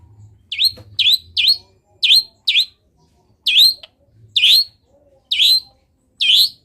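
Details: Long-tailed shrike singing imitations of wild birds: a series of clear, high notes that dip and then rise, repeated roughly once a second. A soft low hum is heard in between.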